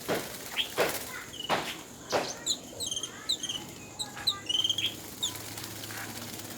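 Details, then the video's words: Bathing Yellow-billed babbler in Sri Lanka giving quick, high squeaky chirps in uneven bursts over a hissing background, with several sharp clicks or splashes early on. "bathing billed bubbler with sound"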